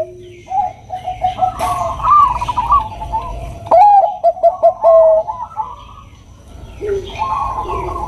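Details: Bangkok perkutut, a zebra dove, with a female calling a male: warbling coos, then a run of quick punchy coo notes, a quieter gap, and renewed soft cooing.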